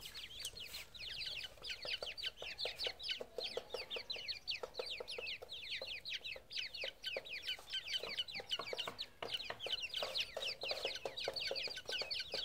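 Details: Grey francolin chicks call together in a steady stream of high, sharp, falling peeps. The overlapping chirps form a busy chorus with short pauses, and faint lower notes and clicks run underneath.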